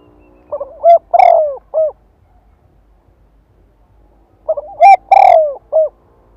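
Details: Spotted dove decoy bird singing to provoke wild doves to call back: two phrases of low cooing notes, each with stuttered short coos, a long falling coo and a final clipped note, separated by about three seconds of quiet.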